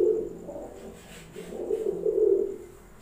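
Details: Pakistani Highflyer pigeons indoors, giving low, droning coos in two long rumbling phrases with a brief dip between them; steady high hiss in the background.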